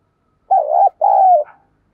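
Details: Spotted dove kept as a decoy, with "giọng thổ" voice, giving a "gù" coo to quickly call up wild doves. Two mellow hooted notes: a wavering first, then a longer one gliding gently downward, with a quiet setting.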